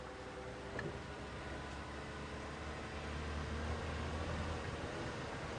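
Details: Steady vehicle rumble with broad hiss and low engine drone; no animal sound.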